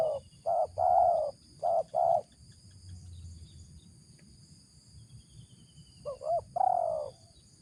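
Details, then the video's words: Spotted dove (tekukur) with a deep "ngeruk" call, said to be good as a lure: a run of short, mellow coos, a quiet gap, then a wavering double note and a long falling coo, against steady background rumble and high whine. "suara ngeruk ini joki sampai batuk batuk // layak dijadikan pikat"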